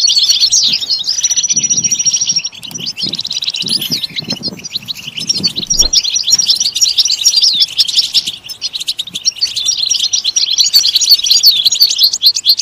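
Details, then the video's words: Song of a European goldfinch: a long high whistle at the start, then varied twittering phrases with buzzy rattles and chirps, pausing briefly before resuming in busy streams of tinkling notes. "Comprehensive guide to stimulating and singing the goldfinch"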